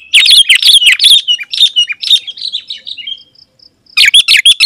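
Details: Sooty-headed bulbul singing hard to lure wild bulbuls: a dense, tumbling stream of bubbly chirps that fades into a thin trailing whistle, then a brief fresh burst of rapid notes.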